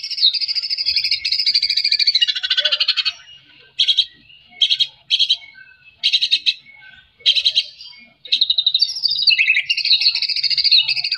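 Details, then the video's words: White-rumped shama 'gacor' song aimed at waking up reluctant singers: a long harsh chatter, several short buzzy bursts spaced about a second apart, then a fresh rapid warbled run. "murai batu gacor TERAPI murai batu malas bunyi"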